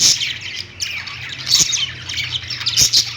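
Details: Budgies on a perch in a pet store, giving shrill, squawky chirps in loud bursts roughly every second amid softer continuous twittering, with a low hum in the background.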